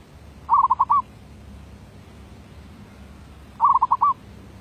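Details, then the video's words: Zebra dove (merbuk), 2019, in derak labuh voice-B song: two stuttering phrases about three seconds apart, each made of several quick cooing beats ending in a longer rolled note. "Suara B Derak Labuh"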